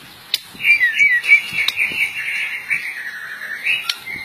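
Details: A Medan-type white-rumped shama with blorok (mottled) plumage, singing actively, gives a long, unbroken run of rich, highly varied warbled whistles that slur up and down, with a few sharp clicks mixed in.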